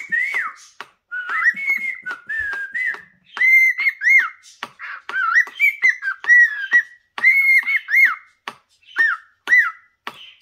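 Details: A pet cockatiel sings in front of a mirror, a run of clear whistled phrases, rising and falling, with brief gaps between them.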